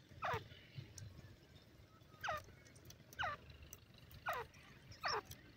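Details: Grey francolin chicks playing in grass: thin whistled notes sliding steeply downward, repeated roughly once a second, five in all, over a steady low background rumble.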